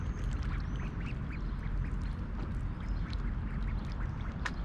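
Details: Wild mallards, a mother and her nearly grown brood of six, at Snelli Pond in Dome Park, Old Town Tallinn, Estonia, at 6:30 AM in mid-July 2021 while being fed oats; a few soft, short quacks over steady rushing water.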